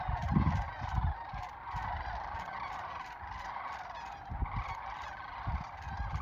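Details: Spring-migrating sandhill cranes near Wood River, Nebraska, heard as a steady wash of overlapping rolling, trumpeting calls from many birds, with occasional low thumps and rumble below.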